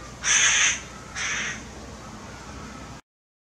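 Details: Two harsh rasping caws from a tame hooded crow in Maalot-Tarshiha, Israel, the first louder and longer, the second shorter and softer, under a second apart, then quiet.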